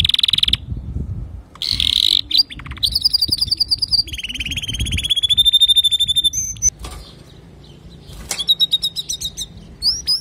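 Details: A male canary sings to teach young canaries. Its clear song moves between bright rapid trills and buzzy rattles, with sustained high whistled notes and brief pauses between the phrases.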